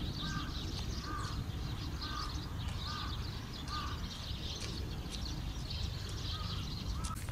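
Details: Eurasian tree sparrows gathered in a lively autumn flock on 18 November 2011, ED50 and WX30 equipment: busy high-pitched chirping and twittering throughout, while a different bird gives loud arched calls about once a second over low background rumble.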